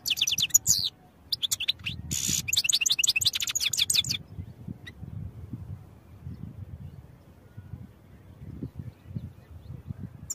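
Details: European goldfinch song used for training: about four seconds of loud, rapid, jangling twitter with dense repeated high notes and a buzzy burst, followed by quiet with only low background noise.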